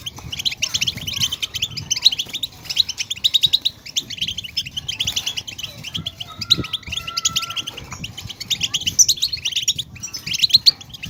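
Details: European goldfinch twittering used to stimulate caged goldfinches to sing: dense, fast, high chirps and trills run almost without pause, with a brief steady whistled tone near the middle and soft low background rumble.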